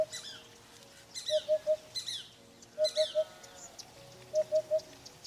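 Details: Eurasian Hoopoe repeating soft, hollow triple hoots, a group roughly every one and a half seconds, given when excited or landing; other birds chirp and trill higher above, in open countryside.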